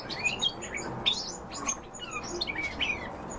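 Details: Common starling song of quick varied phrases: thin slurred whistles, sharp upward sweeps, chattering clicks and a few descending notes, delivered in overlapping bursts without pause against a quiet low hum.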